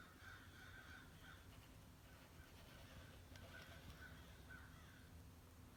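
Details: Crows, part of a morning flock of at least 60 at a bird feeder, caw steadily in the distance, many harsh calls overlapping throughout with light background noise.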